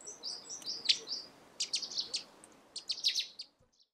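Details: Russet sparrow, a chestnut-coloured bird singing in the morning at Senjogahara, Oku-Nikko, Japan: fast series of high, dry chirps and trills grouped into three clusters, over faint background hiss.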